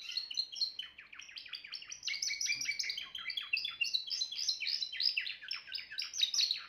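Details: Timbrado canary pouring out a continuous high, rolling song: quick descending syllables strung into rattling trills that shift in pitch from phrase to phrase, steady and loud throughout.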